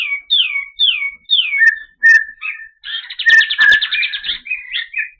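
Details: Kapas tembak white-eye singing clearly: a series of high whistled notes sliding downward, each repeated about twice a second, then short chirps and a fast buzzing trill before more warbled phrases, with a few faint clicks.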